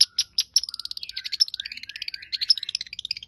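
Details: Long-tailed shrike song: a fast, jumbled run of high chirps and short twittering notes, with sharp accented peaks and brief lower whistled strokes near the start, continuing without pause.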